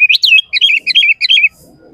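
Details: Two seconds of sooty-headed bulbul song meant to draw other bulbuls into singing: a tight string of bubbly, up-and-down chirping notes, loud and fast, ending abruptly in quiet.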